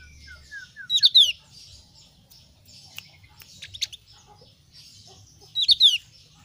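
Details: A Javan grey-throated white-eye (Heleia javanica) of the thin-browed form, whose voice differs from the thick-browed form, calls in two quick bursts of high, sharp, slurred descending chirps about five seconds apart.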